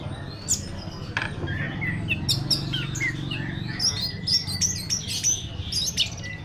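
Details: Orange-headed thrush, a first-place contest champion from Tasikmalaya, Indonesia, kept as a caged bird, delivering a varied run of high whistled and chirping phrases with sharp clicks, over a low steady hum while a man calls to it.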